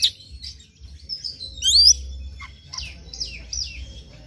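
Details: White-rumped shama song in the morning, played to make a bird sing: scattered soft notes, then one loud rising whistled sweep, followed by slurred descending phrases over a low background hum.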